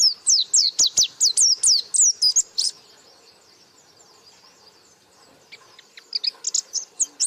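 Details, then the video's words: White-eye in lively 'gacor buka paruh' song: a fast, even series of high, sharply slurred notes for under three seconds, a quiet pause, then the high chirping starts up again. "Burung Pleci Gacor Buka Paruh"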